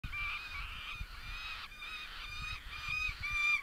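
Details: A female Saker falcon in Southern Siberia, after taking prey from the male at the nest, calls loudly for about two minutes before feeding nestlings: harsh, nasal, drawn-out wailing notes run almost together over low rumble.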